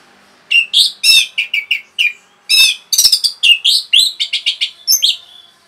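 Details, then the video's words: Orange-headed thrush singing rapidly to stir other birds, a dense run of sharp, varied chirps and short whistled notes, some scratchy, delivered in quick bursts with brief pauses. "SUARA RAPET ANIS MERAH BIKIN EMOSI BURUNG"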